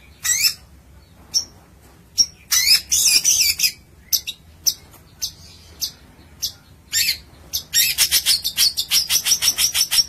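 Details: Kept long-tailed shrike singing, mixing scattered sharp chips and harsh chattering bursts with pauses, ending in a fast, steady series of high scratchy notes.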